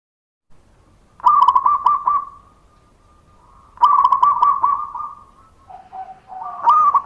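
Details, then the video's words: Local zebra dove song used as a lure to make other doves respond: long bursts of rapid coos holding one pitch, a lower steady note, then a rising burst. "PANCINGAN PERKUTUT LOKAL PALING AMPUH"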